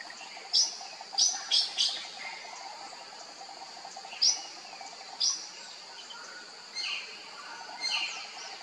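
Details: Sri Lanka blue magpie giving sharp, high, scratchy notes, singly and in quick pairs or triplets at irregular intervals, over a constant high insect hum.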